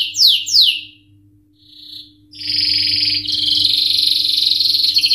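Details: Canary song opening with two sharp descending whistles, a short pause, then a long dense buzzy trill running to the end; faint low hum underneath.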